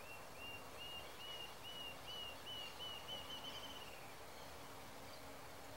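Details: Rufous-tailed jacamar (ariramba-de-cauda-ruiva) giving a series of thin, high whistled notes that speed up and rise slightly into a quick trill over about four seconds, with steady rural background hiss.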